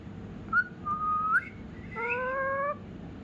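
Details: Prompted by its owner, a rescued ringneck parrot gives a pure whistled note that rises at its end, then a drawn-out nasal meow with strong harmonics, imitating a house cat indoors.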